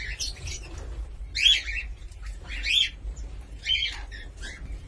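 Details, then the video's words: Cockatiel calling in sharp, harsh squawks spaced roughly one second apart. Each squawk carries a bright whistled edge, and there are quieter chirps between them over a faint low hum. "COCKATİEL SOUND"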